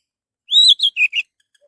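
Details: A single orange-headed thrush phrase, meant as a lure for other birds to sing: a long, bright whistled note sliding slightly downward, then three shorter warbled notes stepping lower.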